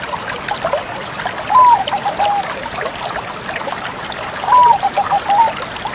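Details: Bangkok-type zebra dove singing: two soft cooing phrases of stuttered notes, each opening with a higher note then falling into a short run, about three seconds apart, over a steady hiss like running water.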